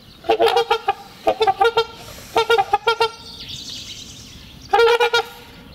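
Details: Trumpeter swans trumpeting in spring courtship, a pair renewing their bond, calls also marking territory; loud horn-like honks in bursts of three to five notes near 0.3, 1.3, 2.4, 3.0 and 4.8 seconds, with a faint hiss between.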